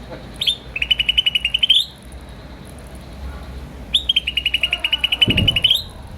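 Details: Two phrases from a green starling, each an upward chirp followed by a long, even trill of rapid buzzy pulses lasting over a second, separated by a quiet gap with a short low thump.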